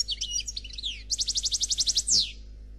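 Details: European goldfinch of the 'noir' type in faultless khalwi song: jumbled twittering and falling slurs, then a steady rattling trill of about a dozen bright notes ending in a buzzy downsweep.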